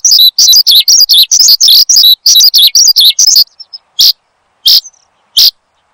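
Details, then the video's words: Horsfield's bushlark in full gacor song, kept as a cage bird and played to lure and train others: three seconds of rapid, jumbled high chirps and warbles, then a few isolated sharp notes separated by silence. "Kicau Burung BRANJANGAN Gacor, Untuk Pancingan Dan Masteran"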